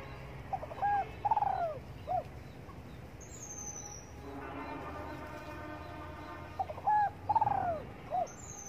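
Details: Spotted dove singing in the morning sun: a phrase of short notes and a drawn-out descending coo, then a droning harmonic hum like a passing engine, then the phrase again; faint high whistles from another bird.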